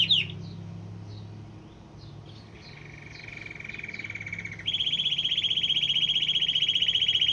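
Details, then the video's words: Singing canary whose song reportedly draws in many canaries, goldfinches and other wild birds: a few short scratchy notes, then a steady low rolling trill, switching abruptly to a louder, higher, fast-pulsed trill over a faint background hum. "شاهد تغريد كناري رائع جذب عشرات طيور ألكناري وألحسون وأنواع بريه مختلفه"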